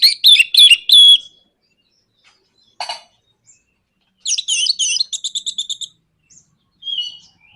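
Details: Orange-headed thrush 'nraktak konslet' provocation song: a few loud stuttering notes, one lower rasp, then a quick rattling series of repeated high notes and a short whistled phrase.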